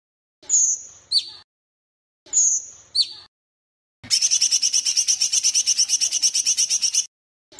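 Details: Sooty-headed bulbul song in a varied tutor recording with pauses: two clear high whistles, each dropping at the end to a lower note, then a three-second stretch of fast, regular chattering repeated notes.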